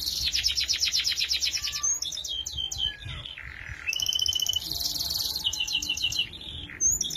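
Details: Canary song used as a tutor recording for training young canaries: fast high trilled rolls, buzzy rattling runs and short whistled slides, one lower steady buzzy tour in the middle, continuous.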